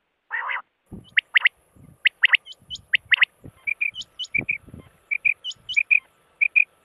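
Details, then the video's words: Rain quail calling on a hunting lure recording: rapid paired sharp notes in quick series, a rough buzzy note at the start, then steady short chirps, with faint low thumps underneath. "rain quail sounds"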